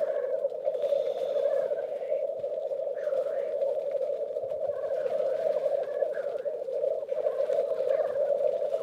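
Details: Black grouse males (roosters) competing at a lek in Västmanland, Sweden, bubble in a continuous low cooing chorus, with occasional fainter rising notes mixed in.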